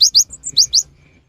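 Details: Cinereous tit, lively singer used as a rainy-season lure, giving a quick phrase of high rising whistles in pairs separated by short level notes, under a second long.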